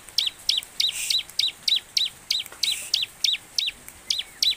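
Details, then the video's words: Bar-winged prinia, called ciblek, in a lure track meant to trigger singing: evenly paced high chirps, each dropping sharply in pitch, about three per second over steady hiss. "burung ciblek gacor|| pancingan ciblek agar cepat bunyi"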